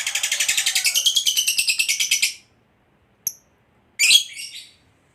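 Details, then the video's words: Competition fighter lovebird giving its prized long trill, ngekek panjang: a rapid, shrill, pulsing trill lasting over two seconds, then a single sharp chip and a short harsh chattering burst. "KICAUAN LOVEBIRD FIGHTER GACOR Ngekek Panjang"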